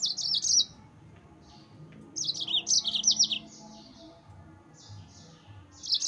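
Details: Yellow-fronted canary song for provoking rival birds: quick runs of high, slightly descending chirped notes in bursts, separated by quiet gaps, over soft low background noise.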